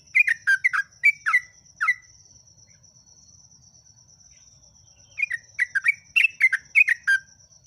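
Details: Yellow-vented bulbul in energetic continuous song. Rapid gurgling, liquid notes swoop up and down in a two-second phrase, fall silent for about three seconds, then return in a longer bubbling run. A constant faint high-pitched tone persists in the background.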